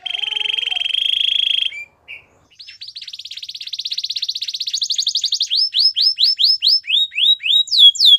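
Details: Belgian canary song starting with a rich rolling trill, a brief pause, then a quickening trill rising into a series of clear falling whistled notes.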